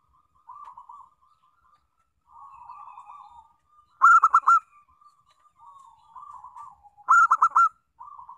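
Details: Local zebra dove song, a recording used as a lure to get other doves singing: soft trilled cooing runs broken twice by loud bursts of four clipped, ringing notes about three seconds apart. Quiet background.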